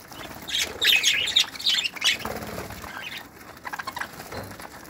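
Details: Breeding aviary with budgerigars, 2018, where a loud burst of scratchy squawks and chirps comes early, then fades to scattered softer notes, with wingbeats audible.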